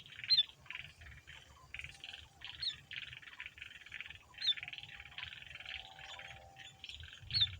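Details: Sooty-headed bulbul, a male, sings a chatty lure song used to draw replies from other bulbuls: quiet, bubbly chirped phrases in quick succession, a few sharper high notes, and steady low hum underneath.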